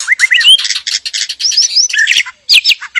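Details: Caged breeding pair of white-rumped shama, male and female, mating call: quick run of upslurred whistles followed by dense chattering and buzzy notes, continuous through most of the three seconds.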